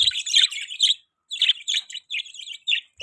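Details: Budgerigar chirping in short clear high chirps and warbled notes, grouped in brief phrases with a small pause after the first second.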